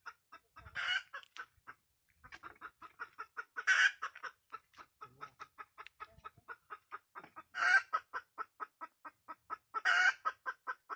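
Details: Red junglefowl hen: steady runs of short, clipped clucks, with louder harsh cackling bursts breaking in about every three seconds; quiet background.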